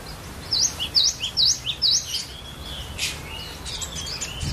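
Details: Cinereous tit (glatik batu) from a bird collection delivering lure song for other birds: four loud, whistled, V-shaped notes, each trailed by a lower chip, at half-second intervals, then quieter scratchy sounds.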